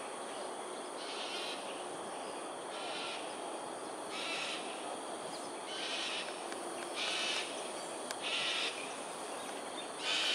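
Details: Cockatoos in an aerial display at Sungei Ulu Pandan, Singapore, 7.43am on 13 January 2022: about seven harsh, rasping screeches roughly a second apart, each a short broad burst, over steady hissing background noise.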